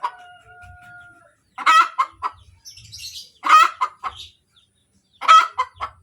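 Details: Cackle of a hen just after laying an egg: three loud, broad squawks about two seconds apart, each tailed by short clucks, with a faint higher bird chirp between them.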